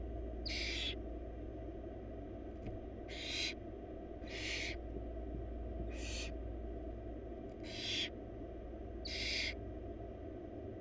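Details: Nest-box barn owl chicks, wild, four siblings fed a big rabbit by the female: six short, harsh hissing bursts at irregular intervals across eleven seconds, plus a faint click and steady low hum.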